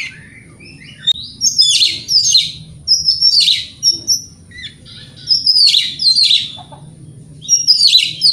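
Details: Provoking lure song of an Oriental magpie-robin, used to rouse other magpie-robins: loud, rich phrases of whistles tangled with rasping, buzzy notes, repeated in bursts about every one to two seconds.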